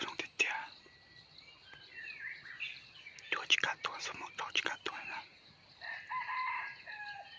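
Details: ['Wild red junglefowl rooster, lured with a hen on 17 March 2020, closes the recording with one harmonic crow, preceded by loud clicks, rustling and faint human sounds, under a continuous insect drone.']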